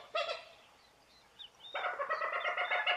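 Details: Common gallinule (Gallinula galeata) giving one short harsh clucking note, then a pause with faint thin sounds, then a rapid, rich, nasal series of clucks repeated about four times a second until the end.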